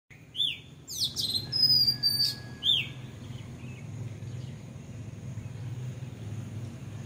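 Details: Bulbul on a house roof giving a few bright, arched whistled notes near the start, then quiet with low background hum.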